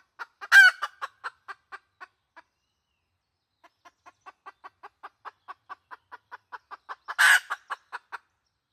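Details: Red junglefowl hen decoy call, 2020: an opening loud squawk with clucks, a quiet gap, then a lengthening run of even clucks ending in another loud raspy squawk.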